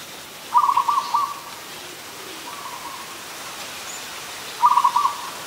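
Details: Adult zebra dove in Ubon Ratchathani, Thailand, recorded 24 December 2020, uttering a rapid, bubbling series of staccato coos, a faint echo-like phrase, then another staccato burst about four seconds later.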